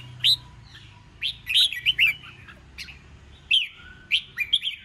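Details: Competition-trained red-whiskered bulbul sings 'ché chét'-style phrases meant to stir rival birds into contest singing. Loud clipped whistles rise and fall in quick clusters, separated by pauses, over a soft low background hum.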